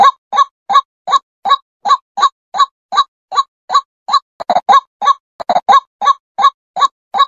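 A female white-breasted waterhen repeats a hollow, nasal 'kwak' note about three times a second in a steady, monotonous series, with a brief burst of doubled notes midway.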